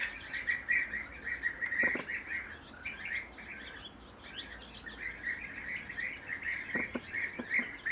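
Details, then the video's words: Three bee-eaters sitting in a row call almost continuously with burred, rolling chirps, several birds overlapping in a steady chatter against a quiet natural background. "Bee eaters"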